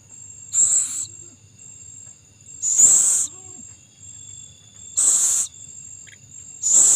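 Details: Owl feeding its young; four harsh, noisy hisses spaced about two seconds apart, roughly 27 a minute, over a steady piercing insect whine.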